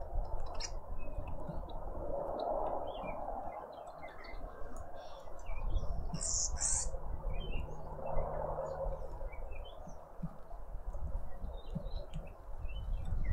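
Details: Several garden birds chirp around a feeder in suburban Pretoria, South Africa, giving short high tweets dotted irregularly throughout, plus a couple of shrill squeaky bursts near the middle, against a steady low traffic-like rumble.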